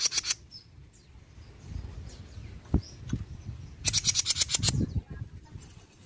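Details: Jenggot bird, mini variety, a lure sound from Indonesia meant to make other birds respond: brief dry ticks at the start, soft thuds midway, then a longer fast run of scratchy buzzing clicks.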